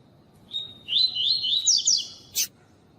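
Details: Coleiro singing the tui tui song type, used for training males, with a female on the recording. A steady high whistle leads into rapid warbled, up-and-down notes lasting over a second, ended by one sharp broadband chip.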